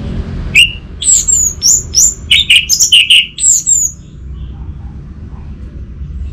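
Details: Orange-headed thrush lure song for a bird that has stopped singing: a series of sharp, high whistled notes in quick succession for about three seconds, then quiet with a low background hum.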